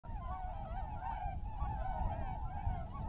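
Tundra swans in a steady chorus of overlapping, wavering, mellow honks and yelps, with a low rumble of wind or water beneath.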